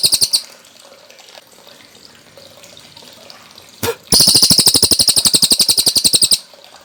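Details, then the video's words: Cililin song used as a training recording for caged birds such as the magpie robin, meant to be played in the afternoon and evening: a short chirp burst, then a fast, even rattle of sharp high chirps for about two seconds. "Masteran Burung Cililin Gacor Jernih"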